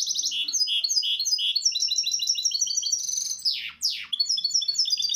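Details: A Misto hybrid canary gives a bright, continuous song of rapid chirped phrases and high trills, broken by two sharp descending sweeps, with nothing else heard. It is a tutor recording for teaching chicks.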